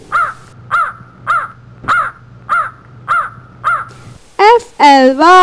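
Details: Crow giving seven harsh, even caws spaced about every 0.6 seconds, each short and nasal, then a voice speaking.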